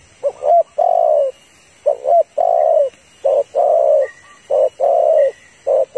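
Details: Female spotted dove calling to a male: steady series of hoarse coos, quick double notes followed by longer slurred ones, repeated about once a second, with faint higher whistles in the background.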